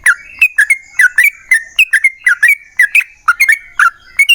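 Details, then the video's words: Yellow-vented bulbul singing a long fast phrase, known as 'ropel panjang', meant to get other bulbuls calling; chirpy, gurgling notes spaced irregularly, some paired, over a quiet background. "TRUCUKAN GACOR Ropel Panjang Buat PANCINGAN TRUCUKAN Agar Bunyi"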